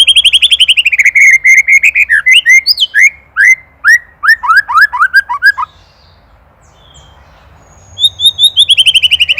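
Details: White-rumped shama singing on a master recording for training songbirds: rapid repeated whistled notes, then a descending series of slurred, downward-sweeping whistles, a pause, and another quick repeated trill.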